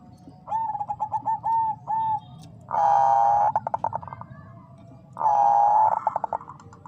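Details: Bangkok zebra dove female calling to a male to stir breeding readiness: loud sustained coos, each followed by rapid stuttering pulses, alternating with a run of shorter clipped coos over a low background rumble.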